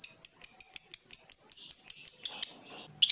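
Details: Fighter lovebird in its ngetik ngekek style, aimed at provoking rival birds: a quick series of high, clipped, piercing notes, about five per second, ending in a harsher burst.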